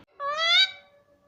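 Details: Pet ring-necked parakeet indoors gives one drawn-out, slightly rising nasal syllable lasting about half a second.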